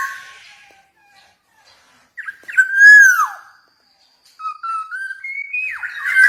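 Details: Black-naped oriole singing: short fluty whistles near the start, then after a pause a loud slurred whistle falling away around the third second, followed by a series of clear rising and level whistled phrases ending in a bright upward note.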